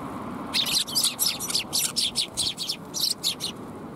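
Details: Several sparrows at a Tenmangu shrine, afternoon of 21 January 2022: a quick run of about a dozen bright, high chirps in close succession, with a pause before a final few, over faint background hum.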